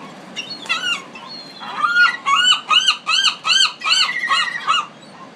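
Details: Pacific city gulls open with scattered squeals, then one bird gives a clear series of loud, arched, nasal notes, nearly three per second, before trailing off.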